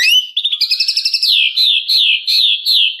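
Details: White-rumped shama in full varied song meant to provoke a rival: a fast rattling trill of rapid repeated notes flowing into continuous high wavering whistles.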